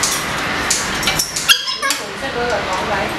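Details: Male galah (rose-breasted cockatoo) mimicking speech, saying his nickname "菊花頭" and "恭喜發財" (Kung Hei Fat Choy) in a harsh, breathy, rasping speech-like voice over about three seconds in a quiet room.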